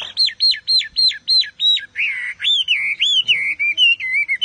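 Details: Chinese Hwamei singing hard, repeating an arched whistled note six times in quick succession, then moving on to a buzzy note and varied warbling whistles.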